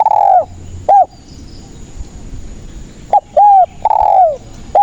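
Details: Spotted dove in vigorous song, used as a trapping lure. Repeated phrases of loud, mellow coos. Each phrase opens with a short clipped note and is followed by a drawn-out, falling coo, with a pause of about two seconds between phrases.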